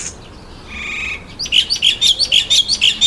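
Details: Red-winged starling eating an apple gives a brief buzzy, harmonic note, then a quick run of about eight sharp, high chirps in under two seconds.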